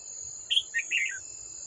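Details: An old wild red-whiskered bulbul drawn to a trap to attack a decoy bird, 18 July 2024, gives one lively phrase: a piercing opening note and then rolling, slightly descending chirps over a steady high-pitched insect drone.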